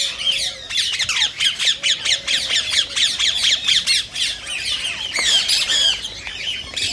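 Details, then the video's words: Rose-ringed parakeet calls form a dense stream of high, grating screeches, repeated more than twice a second with little pause. These calls are said to encourage singing and mating in other parakeets that hear them. "صوت ببغاء الدرة الخضراء"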